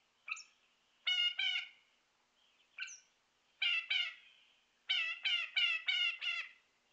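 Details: A Northern shrike calling off camera near an empty feeder in Ontario on March 13, 2018, warning other birds away: short, high clipped notes, then pairs of harsh, nasal, grating notes, ending in a quick run of five. The background is otherwise quiet.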